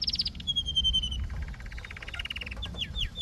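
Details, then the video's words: Canary song with a high falling note, a sustained pure whistle, then a soft rapid rattle and a few quick downward-swept notes over low background hum. "Canary Singing"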